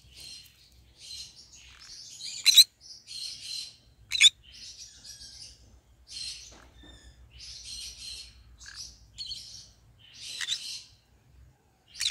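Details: Green-cheeked conure singing in a long, fairly quiet stream of scratchy high chatter and warbles, punctuated by two sharper squawks and ending on a loud note.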